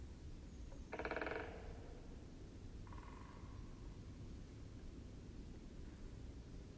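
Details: Great spotted woodpecker in the Wittlicher Tal giving a harsh, grating half-second call, then a fainter, shorter one two seconds later, over steady low rumbling wind noise.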